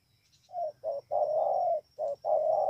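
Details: Spotted dove from Bờ Y, Kon Tum, Vietnam, 28 November 2017. Two short coos, then a long sustained throaty coo, followed by another short note and a long coo, with a faint low hum beneath.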